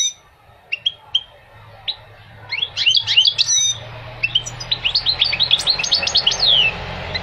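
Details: Goldfinch song: a few isolated high chips, then a rapid, jumbled twitter of bright, tinkling notes with quick upward and downward slurs, ending in a long descending slur.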